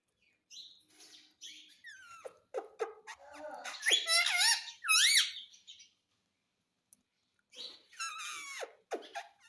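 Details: Talking Indian ringneck parrot said to call "mummy mummy": scattered chirps and clicks build to loud, rapidly wavering harmonic squeals, a pause, then more descending squeaky syllables.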